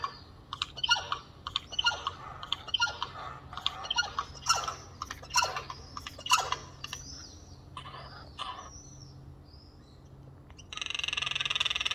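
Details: Chorus of four Eurasian jays perched on a windowsill giving strange, noisy calls: loud, grating screeches and chattering bursts in quick, uneven succession, then a stretch of steady hissing noise near the end.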